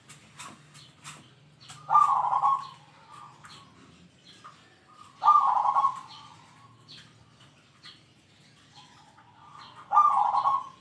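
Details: Zebra dove in full song, its deep 'kung' voice meant to challenge rivals: three rich, trilled coo bursts roughly four seconds apart, with faint chirps and soft clicks in the gaps.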